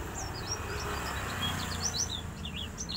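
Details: A Kuningan oriental white-eye singing persistently gives quick, high, thin chirps and short twittering notes scattered through the clip, over a steady low background rumble.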